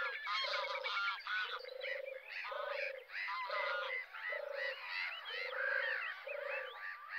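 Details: Recorded on 26 July 2020 from the car park at RSPB Frampton Marsh reserve, a European turtle dove gives a steady run of low, rolling purrs, about seven in seven seconds. Busy, varied calls from other birds fill the background.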